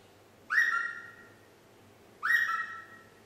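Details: Nine-month-old female pet parrot practising the tune Yankee Doodle; two clear whistled notes, each swooping up then holding steady and fading, about two seconds apart, over quiet room hum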